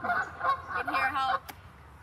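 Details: Geese at Lake Joanis act as sentries, giving a quick run of loud nasal honks (three or four close together within a second) to warn of approaching people and signal it's time to move on; then a sharp click and quiet.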